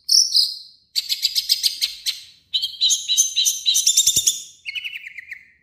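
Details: Long-tailed shrike, a mimic mixing its own voice with copied calls of other birds: loud bursts of rapid, buzzy chattering notes, then a falling series of thin whistles near the end, with short gaps between phrases.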